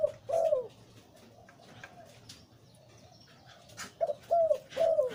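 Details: Deep-voiced breeding male zebra dove in Lui Tan style: strong low rolling coo opens the recording, a long quiet stretch of faint murmuring follows, then three loud arched coo notes close it out.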